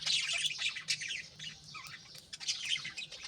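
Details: Pet budgerigars (Australian parakeets) in the early morning, chicks being fed in nest pots; a steady wash of high chattering warble and chirps with faint low background hum.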